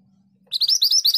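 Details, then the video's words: Scarlet minivet, locally called sepah hutan, in a brisk rolling song: a low steady hum, then a rapid string of high, upward-sweeping whistled notes that begins abruptly and is still running at the end. "BURUNG MANTENAN GACOR ROLL PANJANG"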